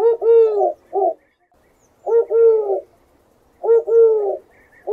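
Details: Dove cooing: low, soft, rolling double coos repeated roughly every one and a half seconds, with one short extra note early on and quiet pauses between phrases.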